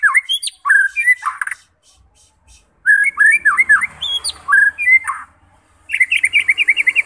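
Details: A white-rumped shama, used to provoke other shamas into singing, gives loud, rich whistled phrases sweeping up and down with sharp high notes, in three bursts with short pauses.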